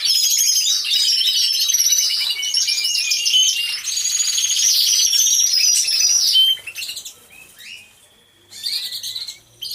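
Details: Dense chorus of canaries singing in an aviary, recorded by a hidden camera: loud, high, rolling trills for several seconds, then a sudden drop to near quiet broken by one brief trilled burst.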